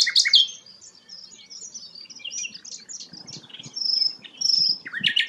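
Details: Sikatan londo flycatcher, kept as a song tutor for magpie-robins, sings a lively run of high, scratchy chirps and twitters, with two clear, thin whistles near the end; faint low rumbling underneath.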